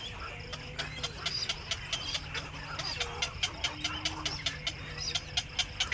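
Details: Black-crowned night heron back at the nest in the evening: rapid dry clacking pulses in irregular bursts, mixed with a few drawn-out low nasal notes, over a constant low rumble.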